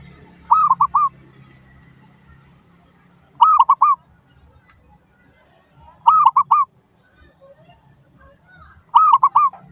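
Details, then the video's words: Zebra dove song as a lure for other doves to reply: four evenly spaced phrases, each a rolling three-note coo with a longer opening note, repeated about every three seconds, low faint background hum. "PANCINGAN Burung Perkutut Suara Paling Ampuh! Bikin Langsung Cepat Di Respons Pasti! Nyaut"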